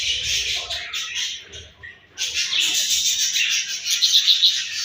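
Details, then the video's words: Budgerigars at their morning food, giving a continuous hissy, buzzy chatter of rapid chirps that breaks off briefly near the middle and then resumes. "𝘽𝙪𝙙𝙜𝙞𝙚𝙨 𝙈𝙤𝙧𝙣𝙞𝙣𝙜 𝙁𝙤𝙤𝙙 𝙒𝙞𝙩𝙝 𝙈𝙤𝙧𝙣𝙞𝙣𝙜 𝘾𝙝𝙞𝙧𝙥𝙞𝙣𝙜 𝙎𝙤𝙪𝙣𝙙𝙨"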